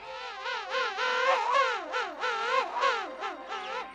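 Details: A male king penguin at Gold Harbor in November 2019 gives its individually distinct, loud, trumpeting signature call of rapid wavering notes that swoop up and down, about three or four per second, with faint colony noise behind.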